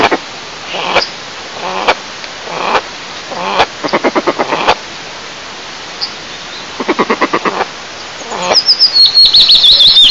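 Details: Male and female eastern imperial eagles at their nest, about 20 m up, in Lower Kama National Park, Tatarstan, Russia, during incubation on 15 May 2024. They give rapid runs of harsh, barking notes in short bursts. A small bird whistles high at the end.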